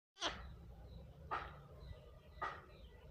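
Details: Indian ringneck parakeet giving three harsh, broad screeching calls, about one per second, quiet against a low indoor hum.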